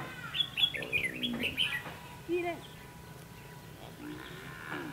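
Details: Red-whiskered bulbul used as a decoy to trap wild birds, recorded on 22 October 2016; short bright whistled chirps and slurred notes in quick bursts during the first two seconds, then quieter, with a human voice mixed in.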